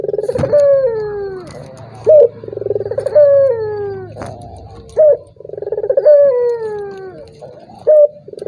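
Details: Turtle dove cooing to goad a reluctant rival into calling. A quick pulsed burst leads into a drawn-out descending coo and ends with a sharp, loud accent, repeated steadily three times amid faint background clatter.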